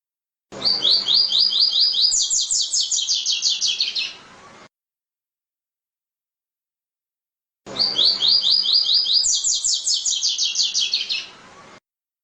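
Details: Double-collared seedeater (coleiro) song used to communicate with other coleiros: two bursts of about four seconds each, rapid repeated high buzzy trilled notes, first a steady series then slightly lower descending notes, separated by silence.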